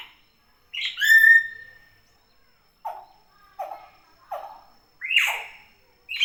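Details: Common hill myna calling actively in natural surroundings: a long, loud, rich note with strong harmonics, then a run of short, clipped notes repeated about every half second, ending in a louder harsh call.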